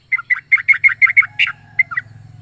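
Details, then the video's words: Yellow-vented bulbul with a strange, varied voice giving a quick burst of clear whistled chirps, each slurring downward, then a pause and two more notes, over a low steady hum. "Burung trucuk unik suara aneh .aneka rasa burung trucuk ini"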